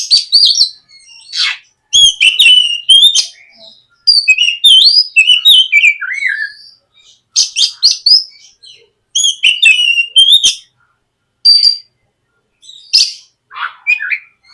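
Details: White-rumped shama singing long and varied phrases as a lure to make a young shama sing, with quick whistles, buzzy chatter and descending slurs broken by short pauses.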